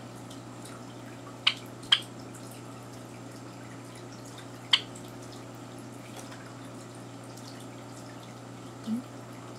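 Water dripping and a tap running in a small indoor room, with a few sharp drip clicks and faint background hum; no animal sound is heard.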